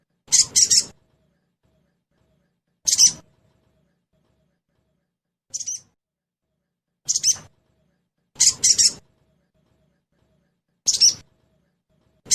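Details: Sogon (crested jay) trotol sound as a singing lure: a run of seven harsh rattling bursts, single and doubled, spaced irregularly over twelve seconds in otherwise silent background.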